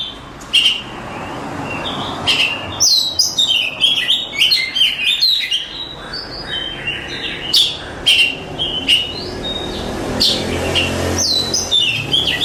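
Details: Oriental magpie-robin, a champion songbird, sings a long, varied stream of whistles, chirps and sharp click-like notes over a faint steady background hiss.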